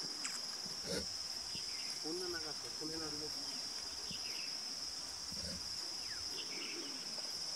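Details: Green imperial pigeon calling in Gorumara National Park, West Bengal, India, January 2018: a short series of deep, hollow, wavering notes around the middle of the recording, under a constant shrill insect chorus and scattered forest sounds.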